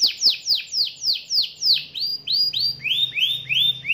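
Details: Canary song marked as gacor and ngerol, with a young canary answering: a rapid series of descending whistled sweeps about four per second, shifting to rising upswept notes, with faint low hum beneath.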